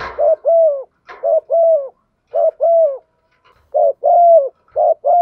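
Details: Female spotted dove cooing to stimulate a male, a call used to excite male birds: low two-part phrases, a short note then a longer slurred coo, repeated four times at roughly one-second spacing.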